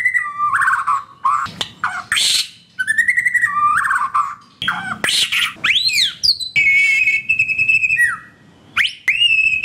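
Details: Varied white-rumped shama song meant to stimulate caged birds that stopped singing: rapid run of mellow whistles, sharp upswept notes and scratchy bursts, ending with long steady whistled tones.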